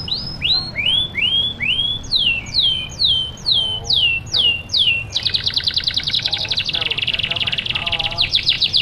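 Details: Vigorous canary song to stimulate other canaries: a run of descending, swooping whistled notes, each about half a second apart, breaking into a fast, buzzy, rolling trill for the last few seconds.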